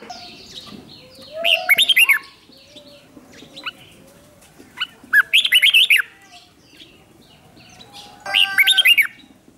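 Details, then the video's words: Decoy red-whiskered bulbul singing to draw wild bulbuls near, giving three separate bursts of rapid, bubbly whistled notes, each lasting under a second, with scattered softer calls between. "Chào mào mồi gọi bổi không tạp âm, tiếng chào mào mồi gọi là đến"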